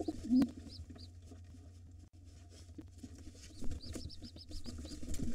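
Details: Wild pigeons at a nest holding two nestlings, where a white father fights off a gray intruder trying to take the nest. A short low coo comes early, then runs of thin high peeps, over a steady low hum and scuffling.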